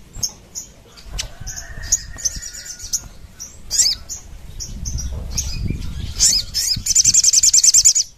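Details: Crimson sunbird in lively 'gacor nembak ngerap' song, a training and lure recording: sparse high squeaks, a faint level whistle, a twittering burst, then a fast ringing trill at the end over low rumble.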